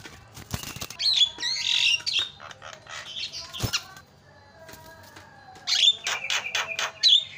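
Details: Javan myna calling to provoke other mynas to answer: harsh screechy bursts and chatter, a pause with faint whistles, then a fast series of rasping clicks and a squeal.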